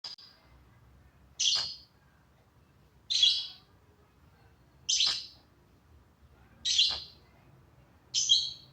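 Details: Pet bird making funny sounds that make its owner laugh: short, harsh, buzzy chirps, five of them, spaced about every two seconds in a quiet room.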